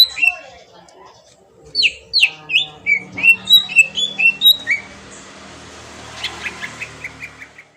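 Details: Green leafbird lure song to provoke a response: sharp rising and falling whistled notes in a quick run, fading into faint high chips over a hissy background.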